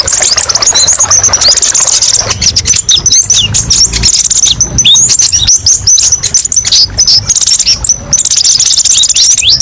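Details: Kolibri ninja sunbird masteran song packed with varied 'tembakan pedes' shots: shrill, high chittering trills and sharp slurred notes delivered almost without pause, with faint low background hum.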